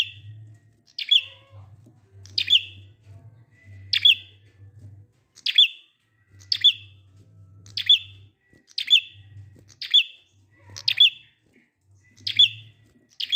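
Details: Ngalun-style prinia song, played to lure quiet prinias into joining in: a long run of bright downslurred chirps, each ending in a brief thin note, repeated about every 1.3 seconds above a low background hum.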